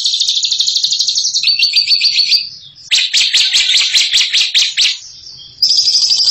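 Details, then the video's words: A bird singing in the ngekek style, called a champion: long bursts of dense, high, rapid chattering trills, broken by a brief pause near the middle and resuming loudly, with no other clear sounds. "INI DIA JAGONYA NGEKEK"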